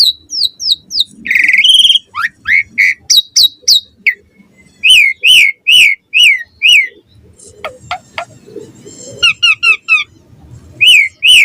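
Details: Morning song of an Asian pied starling, played to lure starlings into singing: long stretches of rapid, loud whistled notes, some high and thin, others dipping and rising, with brief pauses and varied phrases.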